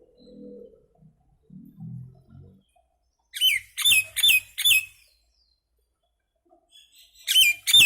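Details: Common myna making noise: soft low sounds at first, then four loud harsh grating notes, a quiet gap, and two more raspy notes near the end.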